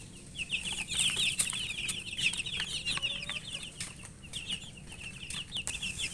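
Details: Chicks of the domestic chicken cheep while eating, quick thin downslurred peeps pouring out in a busy chorus, louder at first then thinning slightly, with clicks of pecking.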